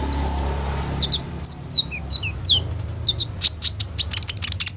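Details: Olive-backed sunbird in full song as a training lure for other sunbirds, its phrases rich in rolls and borrowed notes: high slurred whistles, then bursts of rapid sharp ticks and downward-falling chirps, over low background hum.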